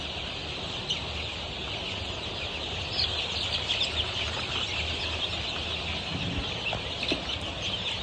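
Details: Many Golden Misri chicks aged 23 days on a farm in Pakistan: continuous high peeping, with a few sharper single cheeps standing out, and a faint low machine hum.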